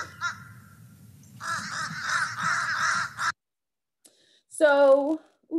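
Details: A Fish Crow gives a short, nasal, fairly high caw, higher-pitched than an American crow's, with a second call just starting at the end; before it, a stretch of muffled, noisy sound, perhaps a voice.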